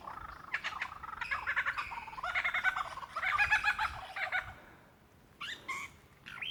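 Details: Mate-seeking lyrebird in Dandenong Ranges National Park, Victoria, February 2016: dense chattering, rattling phrases at a mid pitch, like a kookaburra-style laugh, pause, then a few clear rising whistles.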